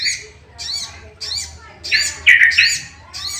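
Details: Sooty-headed bulbul, played to provoke other bulbuls into singing: harsh, squawky, broadband notes repeated about three times a second, ending in a louder burst of rough chattering.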